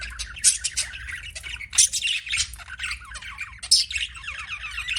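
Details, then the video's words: Budgerigar chirping: fast, bubbling chatter of squeaky, slurred notes, with louder sharp chirps standing out about every one to two seconds. "BUDGIE CHIRPING SOUNDS"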